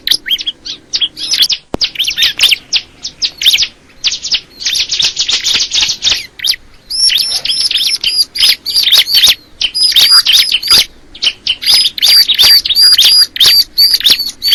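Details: Crystal ciblek in a long, fast song of high chirping notes, about three each second, with a harsh buzzy stretch early on, then rapid ringing whistled notes repeated steadily.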